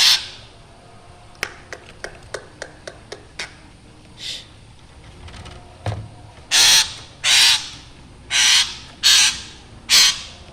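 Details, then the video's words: Black drongo calling actively, described as having a frightening voice: a quick run of sharp dry clicks, then loud, raspy, hissing bursts repeated roughly once a second, with a quiet background. "srigunting hitam gacor suara menyeramkan"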